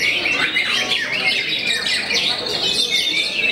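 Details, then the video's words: Brief burst of white-rumped shama song, famed for cowing its rivals: dense, high twittering with quick whistled slides and chattery notes packed tightly together. "MURAI YANG TERKENAL BIKIN NGLOWO BANYAK MUSUHNYA"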